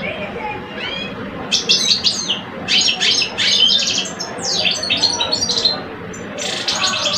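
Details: Two caged male European goldfinches in Algeria, one older adult and one two-year-old, sing against each other in a contest: bright twittering phrases of rapid buzzy and tinkling notes come in bursts after a quiet start, over a low room hum.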